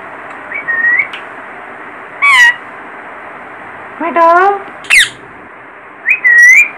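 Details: Young parrot giving a mix of thin whistled notes near a steady pitch and sharper rising squawks, six calls irregularly spaced over about seven seconds, with low background hiss.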